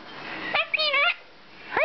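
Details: A pet Hahn's macaw named Peanut, which says "Hi Peanut", talks in a high, squeaky, nasal voice: one quick wavering phrase of about half a second, then the start of another as the clip ends.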